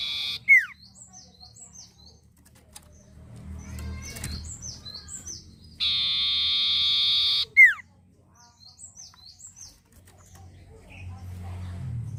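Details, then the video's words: Long-tailed shrike singing energetically, played as a lure to provoke other birds: a loud, harsh, buzzy burst lasting about two seconds, framed by sharp downward-swept squeals and a run of short, high, slurred whistles, with low background rumble. "pancingan sirtu gacor bikin burung lain jadi em05i"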